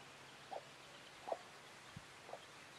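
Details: Chickens clucking: three short, soft, mid-pitched clucks spaced roughly a second apart over a quiet, hissy rural background, with one low thump near the end.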